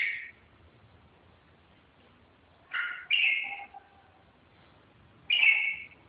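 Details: Red-whiskered bulbul giving a few separate bright warbled notes with long pauses between them, over a low background hiss.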